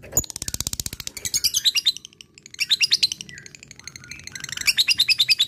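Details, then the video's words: Fighter lovebird in 'ngekek' chatter aimed at a rival: rapid, high-pitched chips in uneven bursts, shrill and rattling, dipping briefly around the middle before another loud run of piercing notes. "Cik cikk weeeeerrr...lovebird fighter gacor ngekek memanggil l4w4n"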